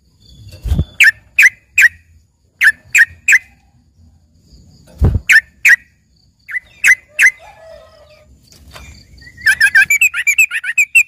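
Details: Yellow-vented bulbul singing a learned filler song likened to a lively green leafbird: clipped chips in quick pairs and triplets, a soft low thud near the start, and a fast stuttering trill at the end.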